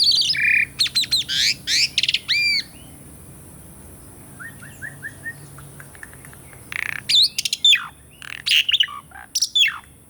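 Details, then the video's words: Real recording of an Asian pied starling singing, intended to stimulate birds that no longer sing: busy chattering phrases, a faint soft rattle in a quiet gap, then more sharp high notes. "PANCINGAN SUARA BURUNG JALAK SUREN ( TERAPI JALAK MACET BUNYI ATAUPUN JALAK BAHAN )"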